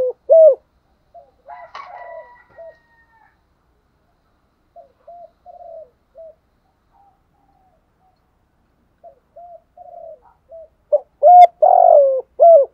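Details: Morning kích bổi lure call of a spotted dove, complete sequence: one loud opening coo, scattered quiet muffled coos and a long silent stretch, then soft coos building into a loud closing phrase of deep hollow notes.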